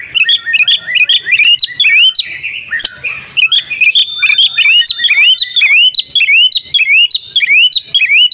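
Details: Female Oriental magpie-robin calling so the male will sing; fast runs of rising, hooked whistles repeated roughly twice a second, broken briefly by a harsh burst, then resuming steadily.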